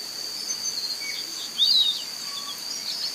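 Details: A Piratic Flycatcher (Legatus leucophaius) in Serro, Minas Gerais, Brazil, gives a single high, thin whistle that slides downward, over a steady high insect drone.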